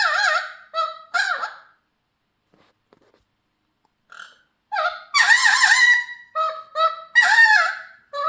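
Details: Pet Mealy Amazon parrot singing: loud, wavering, harmonic squawks and warbles in short bursts, with a two-second silent gap, then a longer warbling phrase and several clipped notes.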